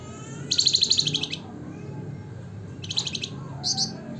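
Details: Wergan jawa, the Javan fulvetta, singing flamboyan style: a fast high trill of about one second, then after a pause a shorter trill burst and a brief final chirp, over steady low hum.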